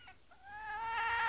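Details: Female red junglefowl kept as a lure, calling though startled: a single drawn-out tonal note rising and swelling over about a second, preceded by two faint short notes; quiet background.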